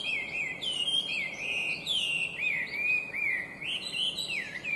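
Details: Chinese hwamei, noted as an invasive alien species, delivering a clear, beautiful song of swooping whistles, looping up and down in continuous varied phrases, loud and close.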